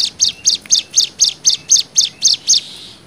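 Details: 'Nembak' song of a Hill Prinia, used to tutor young birds: ten piercing, high staccato notes delivered steadily at roughly four per second, then a faint trailing hiss.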